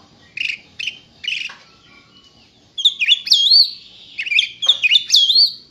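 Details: Oriental magpie-robin, contest-ready, singing: three husky chirps, a short pause, then loud whistled, rising-and-falling phrases delivered in quick bursts.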